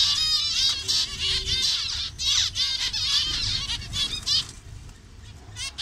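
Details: A crowded colony of zebra finches in Bangladesh: a constant high, chattering chorus of short nasal beeps and twittering notes, several birds calling over one another at once.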